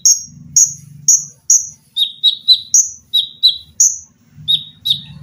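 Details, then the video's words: Caged Olive-backed sunbird used as a tutor for other songbirds, delivering sharp high shrieking notes at first, then quicker lower shrill chips in a running series, over a low rumbling hum. "TERAPI KONIN GACOR FULL TEMBAKAN RAPAT!!!MESIN JAHIT,LENGKINGAN DAN BESETAN."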